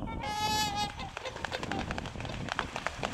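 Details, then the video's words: Pair of wild North American Trumpeter Swans on a northern USA pond during spring migration, bobbing heads before take-off; one loud, brassy, harmonic-rich honk lasting under a second, followed by rapid slapping and pattering as they run across the water. "North American Trumpeter Swans bob their heads, call out and take off from a northern USA pond"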